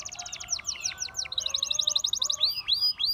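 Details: Gloster canary singing in rapid bursts of short whistled notes and falling sweeps, with faint lower tones underneath.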